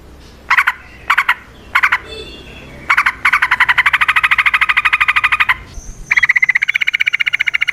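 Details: Yellow-vented bulbul in vigorous fighting song with long rapid trills, used to coax other bulbuls to answer: a few separate chirped notes, then a steady fast buzzy rattle, a brief break and a second rattle.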